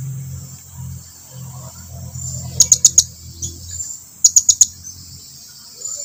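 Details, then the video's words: Blue-crowned hanging parrot calling to draw its companions closer, giving two quick bursts of four very high, sharp, clipped chips each, about a second and a half apart, over a low background hum. "suara serindit lagi memanggil kawannya agar datang mendekat"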